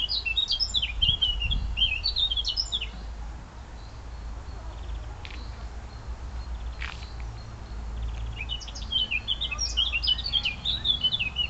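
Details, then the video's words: Birds twittering on the outskirts of Munich, Bavaria: bursts of quick, high chirps and short trills at the start and again near the end, over a steady low rumble. "Bavarian Bird Song"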